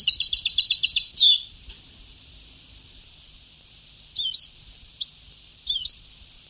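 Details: European goldfinch in old Sebtaoui song style: a rapid, evenly repeated trill of about ten notes ending in a sharp slurred whistle, then silence with hiss broken by three short, twisting call notes.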